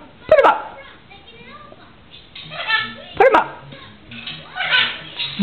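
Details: Pet Blue-and-gold Macaw, very animated, talking with its owner, who urges it to say "put em up"; loud harsh squawky bursts and raspy speech-like phrases are mixed with the owner's voice.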